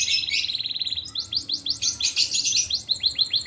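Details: Training song of a fighting canary: an opening rapid trill followed by a long series of fast descending chirps, repeated several times a second, with a faint background hum.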